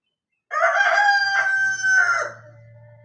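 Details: Rooster crowing: one loud, harmonic cock-a-doodle-doo in several linked syllables lasting about two seconds, ending in a long level trailing note, with a faint low hum behind.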